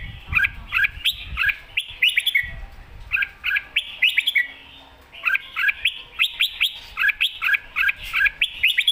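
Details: Red-whiskered bulbul delivering an energetic master-song style: clear whistled two-part notes grouped in rapid bursts, a brief pause near the midpoint, then a renewed run of bright phrases.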